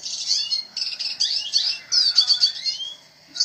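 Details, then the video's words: Red siskin singing energetically (gacor): high, buzzy twittering phrases with quick chirps and a brief rapid trill, broken by short pauses, fading to quiet near the end. "BURUNG RED SISKIN GACOR"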